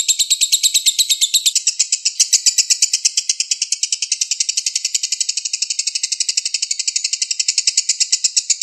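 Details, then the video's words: Konslet-style lure song of a lovebird from Indonesia: nearly nine seconds of nonstop shrill ticking chatter. A thin high overtone sounds in the first moments, then a quick, tight, even pulse runs on. "Pancingan lovebird konslet"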